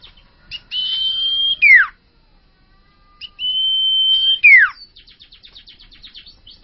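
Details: A young (bakalan) common iora sings two long, level, high whistles, each ending in a sharp downward slur, followed by a quick run of short chippy notes.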